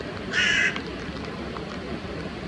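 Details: Carrion crow in Japan giving a single harsh, hoarse caw lasting about a third of a second, over a steady low background hum.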